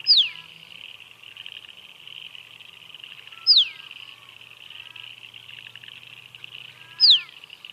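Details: Musk duck calling three times at regular intervals, each a shrill whistle sweeping downward, with faint lower tones and a hissing background.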